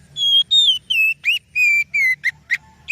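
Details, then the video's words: Oriental magpie-robin song used as a lure to draw other birds into singing: a run of clear, loud whistled notes, some level and drawn out, others short and upslurred, about ten phrases in three seconds over a faint low hum. "Suara Burung Kacer Yang Sangat Indah,Cocok untuk Pancingan"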